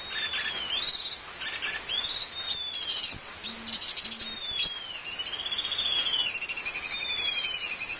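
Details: Bulbul filler song recorded as a master for teaching birds of every kind: curved downward whistles between bursts of high chattering notes, then a long rippling buzzy trill to the end.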